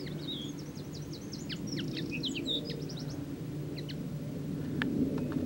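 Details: Common linnet song: a quick jumbled run of varied high twittering notes and short whistles for about three seconds, then a few scattered chirps, over a steady low rumble of traffic or wind.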